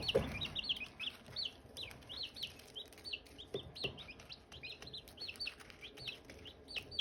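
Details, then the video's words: Silkie chicks with hatching eggs: a dense chorus of high, short, downward-slurred peeps overlapping rapidly and continuously, with faint rustling and low background hum. "Silkie chicks chirping, Hatching eggs chirping sounds"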